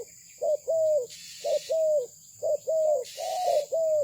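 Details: Spotted dove of Malaysian stock giving paired coos, a quick clipped note then a longer smooth one, repeated about every second, with two short bursts of hissing noise.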